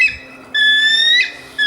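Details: A Bald Eagle's genuine call, not the red-tailed hawk scream often dubbed for it: a thin, high whistle, a long, steady note that rises slightly, with short clipped notes before and after. No other sounds stand out.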